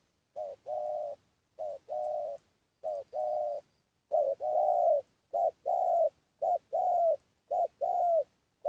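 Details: Spotted dove lure call: soft hooting coos grouped as a short note then a longer sustained one, the phrase repeated about once a second with clean silence between.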